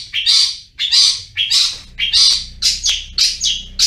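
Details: Cendet (long-tailed shrike) in full gacor ngriwik song. Harsh, scratchy high notes repeated roughly every half second, each a short grating burst. Low background hum.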